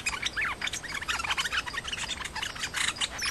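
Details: Nok dok taeng, a Thai songbird, a challenging male confronting the resident male and fighting rather than singing: dense, rapid chirps and squeaky slurred notes that overlap continuously, with sharp rising and falling whistled fragments.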